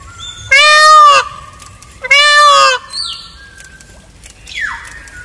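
Two loud, harsh, nasal peacock cries, each about half a second long and about a second apart, followed by fainter, downward-sliding whistles.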